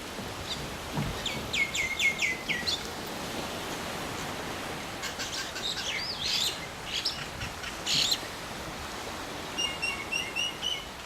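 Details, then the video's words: Two mynas giving bursts of high chirps and chattering notes, with short whistled phrases near the end, over steady background hiss. "TWO MYNA BIRDS"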